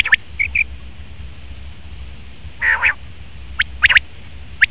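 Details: Male common quail giving a few sharp, high notes in short bursts, including a quick triplet near the end, after a low nasal growl and long quiet gaps.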